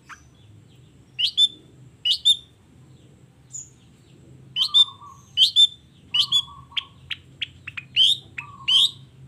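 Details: Sparse morning song of a long-tailed shrike with 'toet toet' notes: short high chirps in pairs and groups, separated by gaps, with occasional low flat whistles underneath.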